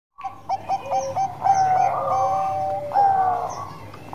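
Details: Bangkok-type zebra dove in lively song, used as a lure to stimulate other birds: soft mellow coos with clipped staccato notes, overlapped by a second lower, drawn-out cooing line, with a faint steady low hum underneath.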